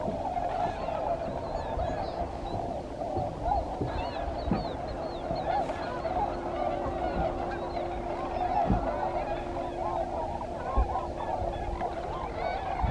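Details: A large flock of tundra swans resting and refuelling at a yearly stopover during their migration from the southeastern United States to Arctic breeding grounds keeps up a continuous chorus of mellow, high hooting and yodeling calls over a steady low rumble.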